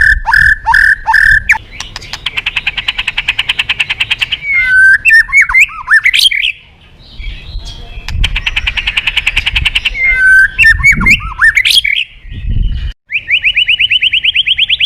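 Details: Rich, aggressive white-rumped shama song played to make other birds sing: fast repeated chattering notes, buzzy rasping passages, twisting upward whistles, and a brief rapid rising trill at the end.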